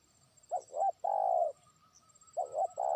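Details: Trained decoy spotted dove beginning to call a distant rival. A mellow cooing phrase of two brief notes and a sustained low coo is followed by the next phrase starting. A faint steady whine sits in the background.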